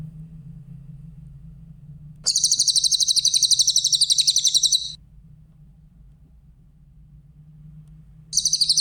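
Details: Song of the grey-headed canary-flycatcher, recorded clearly for training other songbirds: a shrill, rapidly pulsed trill lasting over two seconds, a long gap filled by a low hum, then another trill begins.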